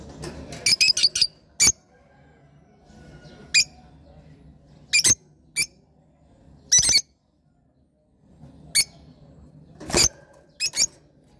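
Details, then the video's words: Lovebirds giving scattered shrill squawks and quick clusters of sharp chips, with irregular pauses and a faint low background hum. "love birds sound"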